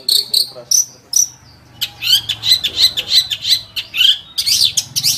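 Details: Long-tailed shrike starting with a few clear high chirps, then launching into a fast, chattering run of varied sharp notes and whistles.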